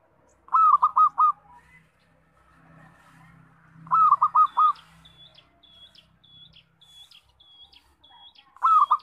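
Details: Local zebra dove with a loud song, used as a lure for trapping: bright rolling phrases of four quick cooing notes repeated about every three and a half seconds, with a thin high note repeating steadily between phrases.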